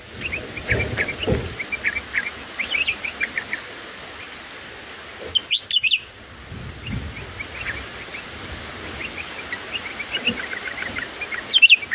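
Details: Black-headed bulbul chicks in the nest being fed by a parent: rapid, high, thin chirps repeated in quick bursts, with some louder sharper notes midway and low rustling beneath.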